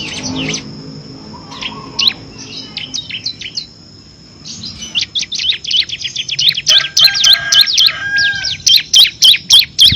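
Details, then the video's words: Bar-winged prinia, kristal type, in full 'ngebren' song with six variations, used to tutor competition birds. Scattered high notes and a thin trill at first, then a fast, regular string of loud sharp chirps builds toward the end. "FULL NGEBREN‼️ CIBLEK KRISTAL GACOR ISIAN 6 VARIASI COCOK UNTUK MASTERAN BURUNG PRESTASI"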